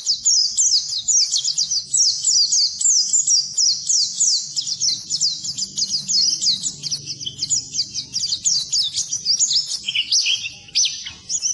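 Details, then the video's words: Song of an Oriental white-eye, played to coax silent birds into singing: long unbroken run of quick high chirps and sweeping twitters, dense and energetic throughout. "Suara Burung Pleci Masteran Pleci Full"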